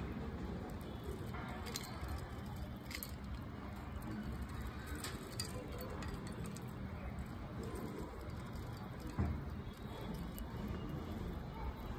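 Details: Steady low rumbling background noise with a few faint clicks and taps, and no clear animal voice.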